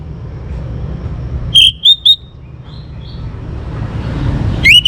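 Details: Young orange-headed thrush singing, used to coax other birds to sing: a short run of three bright, slurred whistles, a faint high trill, then another whistle beginning, with low road noise underneath.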